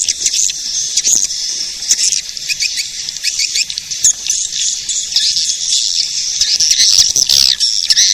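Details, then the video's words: Swiftlet attraction call of edible-nest swiftlets: a dense, continuous high twittering chatter of overlapping chirps with slight rises and falls in loudness. "Suara pemanggil burung walet"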